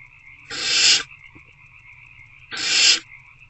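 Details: Hungry wild owlets in a nest box, recorded at 8:13 pm on 26 February 2024 while trying again to eat a rodent; two long, harsh, hissing screeches about two seconds apart over a faint steady background hum.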